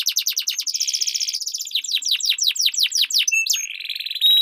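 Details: Canary song duel used to train competition birds: rapid chopped trill, a steady rolling buzz near one second, then falling whistled slurs and a sustained high trill at the end.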